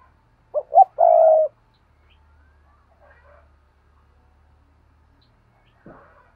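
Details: One paired cooing phrase from a spotted dove: two quick hollow notes, then a drawn-out steady coo. Near-silence follows, with a brief knock at the end.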